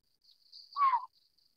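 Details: Collared Scops Owl, Otus lettia glabripes, endemic subspecies of Taiwan's lowland broadleaf forests: one short call that swells and slides downward, set against a faint high insect hum.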